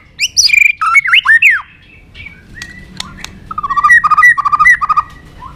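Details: White-rumped shama giving a fighting song, varied loud whistled swoops and slurred notes, then a run of short repeated chopped phrases, with sharp clicks between.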